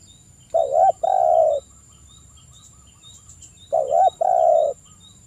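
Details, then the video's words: Male spotted dove cooing to call a rival, in the 'kuk 1' style, with local males answering: two low coo phrases, each a short bent note and then a longer steady coo, about three seconds apart. Faint high chirps sound in the background. "Suara Tekukur kuk 1 manggung gacor manggil lawan, TEKUKUR LOKAL Jantan pada nyaut"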